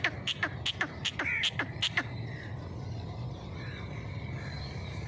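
A partridge gives a quick run of sharp, clicking high notes, about four a second, then falls quiet over a steady low rumble.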